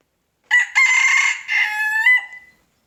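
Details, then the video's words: Rooster crowing in the morning: a full cock-a-doodle-doo of about two seconds, a short first note then longer strident held phrases with a brief drop and a final rising flourish before fading. "Rooster crowing in the morning!"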